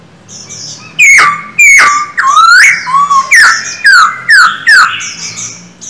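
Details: After a quiet start, a caged male Silver-eared laughingthrush bursts into strong whistled notes, each dropping sharply from high to mid pitch, repeated roughly twice a second with one long upward slur.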